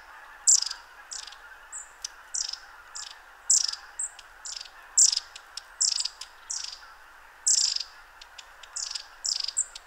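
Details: Long-tailed tits in constant motion giving late-autumn contact calls close by at the Ptasi Raj reserve: thin high buzzy and spluttery notes repeated about every half second, with a soft low hiss behind.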